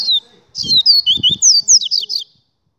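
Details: Double-collared seedeater singing a fast, high run of whistled, sweeping notes that slide up and down, about a dozen in under two seconds, over soft low thumps.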